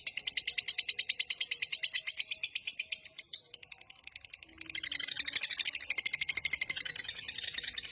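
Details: Lovebird giving its long fast 'ngekek' chatter, used as a master recording to lure and train lovebirds: high rapid pulsed trill for over three seconds, a short pause, then a second dense trill running to the end.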